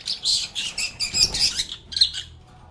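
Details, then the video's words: Lovebirds chirping loudly and close, a run of bright, scratchy high notes in quick succession, then a brief pause and a final sharp squeak. "Lovebirds agapornis sounds"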